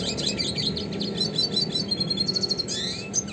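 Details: Classic red siskin song for songbird training: continuous rapid high twitter, a stretch of evenly repeated buzzy pulses, then a downward-swept rasp and a final squeaky note.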